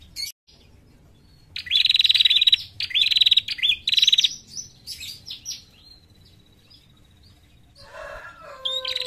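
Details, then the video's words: Female bar-winged prinia call used to lure birds: about three seconds of rapid, buzzy, high chirping trills in quick bursts, then a thin faint whistle and a brief lower rustling sound near the end. "Panggilan Suara prenjak betina untuk pikat"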